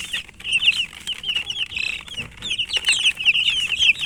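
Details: Chicken chicks chirping: many high, thin peeps in quick overlapping bursts, briefly thinning near the middle before swelling again into a busy chorus.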